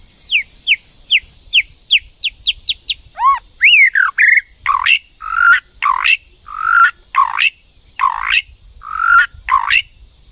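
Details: White-rumped shama, a female stimulating a male to sing: a run of quick descending whistled notes, then swooping slurred phrases and loud sharp notes, over a steady high hiss.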